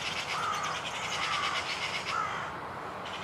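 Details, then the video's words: Rapid, buzzy, jingling trill from a European serin perched close by and not at all shy, with brief lower whistled notes from other birds underneath. "SERIN CINI qui chante"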